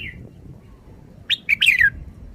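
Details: Red-whiskered bulbul singing a short burst of bright, clear whistled notes that slide downward, preceded by a single faint note and a near-silent pause, with a low steady hum underneath.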